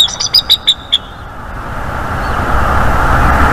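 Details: Bald eagle at a northeast Florida nest on the morning of 28 January 2022, during mating and nest-building, gives a quick burst of about six thin, high chittering notes; wind or traffic rumble then fills the rest.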